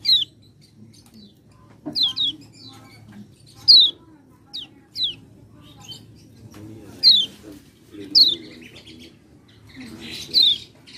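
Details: Common iora lure song, meant to provoke sluggish ioras into energetic singing: sharp, high whistled notes sliding steeply downward, given singly or in quick pairs every one to two seconds over a faint low hum.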